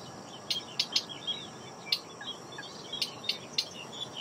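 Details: An Oriental reed warbler, recorded in October 2020, gives harsh, clicking chatter notes in short, uneven bursts over a steady background hiss.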